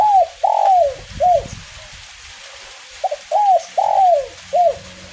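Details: In light drizzle, a spotted dove sings kuk 1 style cooing phrases. A drawn-out coo and a short note close one phrase; a pause follows; then a full phrase of a double note, two arched coos and a final short coo. Faint low rumbles are also heard.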